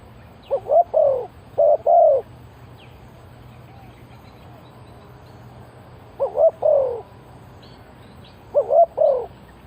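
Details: Spotted dove calling as a lure for wild doves, three separated bursts of soft hooting coos with long pauses between them, faint chirps from other birds in the distance.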